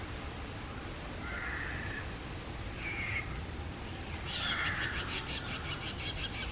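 A young greater racket-tailed drongo gives harsh, raspy begging calls in short bursts every second or so, over a low rumbling background.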